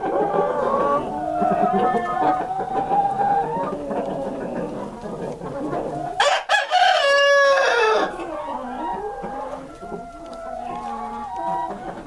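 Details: Columbian Rock chickens from a purebred breeder flock of this rare brown-egg breed. A steady background of overlapping clucks leads to one strong, drawn-out rooster crow that falls away, then quieter flock murmuring resumes.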